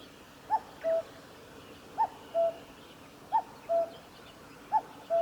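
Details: Common cuckoo singing at the Kitafuji Maneuver Area on 15 July 2019: a two-note cuckoo phrase, a short higher note dropping to a longer lower one, repeated about every 1.4 seconds, four times, over a faint steady background hiss.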